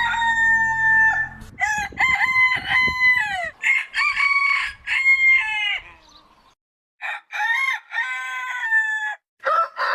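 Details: Several Aseel roosters crow in overlapping bouts of loud harmonic cock-a-doodle-doo phrases, one to two seconds each, that rise then hold before dropping, with brief pauses between.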